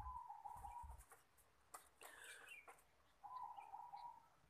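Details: Zebra dove cooing: a steady, slightly warbling mid-pitched phrase of about a second, then a pause filled with faint clicks and rustles, then a second matching coo phrase near the end.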